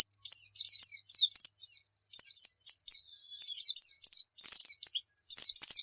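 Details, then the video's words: Javan white-eye (pleci) song played as a training recording to make caged birds sing: rapid, high, twittering phrases of short squeaky slurred notes, chattering almost continuously with brief pauses, no other sounds. "Pancingan PLECI Bikin Cepat GACOR | Suara Burung"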